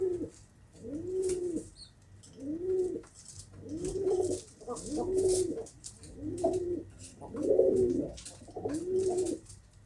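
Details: Pigeon cooing rhythmically: eight deep, rounded, rising-then-falling coos at regular intervals of just over a second, with faint rustling behind.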